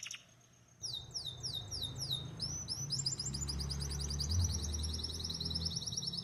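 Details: Belgian canary song opening after a short quiet moment with a series of quick downward-sliding whistles, followed by fast, even, high trilled notes repeated several times a second; steady low rumble in the background.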